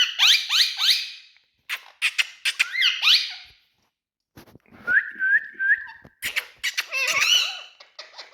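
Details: Large male Indian talking parrots give fast, loud, upsweeping shrieks and screechy chatter, then three short level whistles, then more harsh, grating squawks.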